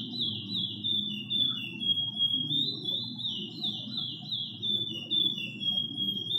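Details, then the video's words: A chestnut-bellied seed finch (curió) from a breeder sings a 'doidinho' song: a continuous, rapid run of high warbled whistles that rise and dip without pause, over a low indoor hum. "Curió Doidinho esse é Fera!"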